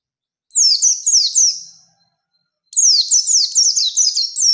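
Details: Lure recording of a Bustomi Oriental white-eye singing hard in the wild 'ngalas' style to challenge rivals. A short run of shrill descending twitters is followed by silence. A longer, dense rolling phrase comes next.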